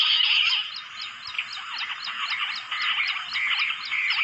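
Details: Jungle bush quail, known locally as battair, lahori, juha or gundri, called in with a phone: a tumbling run of short twittering and slurred chirps from several birds, with rapid regular insect ticks high above.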